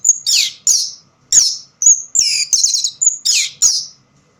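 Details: Orange-headed thrush singing in a spot with little light, delivering short, loud, high whistled and buzzy phrases, some sliding downward, separated by brief pauses; no other sounds intrude.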